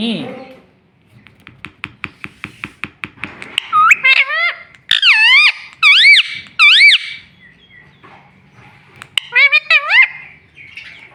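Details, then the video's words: Talking pet ringneck parrot. A steady train of soft, regular clicks is followed by loud, repeated, wave-shaped syllables, like mimicked words such as a repeated name, then a quieter pause and another burst of looping notes. "Talking Parrot Mummy video"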